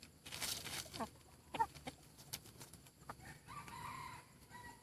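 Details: Decoy chicken with a very good voice giving a steady tonal crow of over a second near the end, after scattered clicks, taps and rustling.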